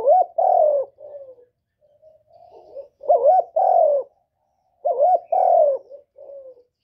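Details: Spotted dove cooing to stimulate newly kept birds, three low phrases each of a quick wavering note, a longer falling coo and a softer trailing note, repeated about every two seconds in silence.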